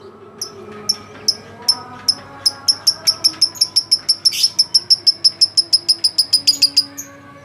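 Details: Champion lovebird from a President's Cup contest repeating a sharp high chirp about four times a second in a long, steady run, with faint background voices.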